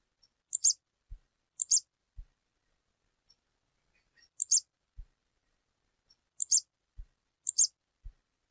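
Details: Female stripe-tailed yellow finch calling in the wild: five high, sharp two-part chirps spread over about eight seconds. Each is followed by a soft low thump. The background is otherwise quiet.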